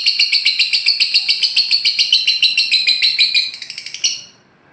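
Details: Lovebird chatter played to prompt caged birds to sing: a fast, regular series of harsh high chirps, about three or four per second, speeding up toward the end before stopping abruptly.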